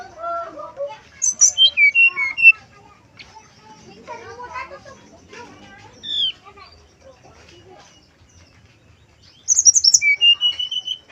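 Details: Male brown-chested jungle flycatcher in a flute-like lure song: bright whistles and a descending run open and close the passage, with softer jumbled chattering notes between them.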